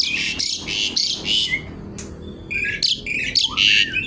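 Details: Javan pied starling singing actively, with a crackling, garuda-style delivery: loud, harsh, buzzy bursts repeated in quick succession, mixed with a few short rising and falling whistled notes.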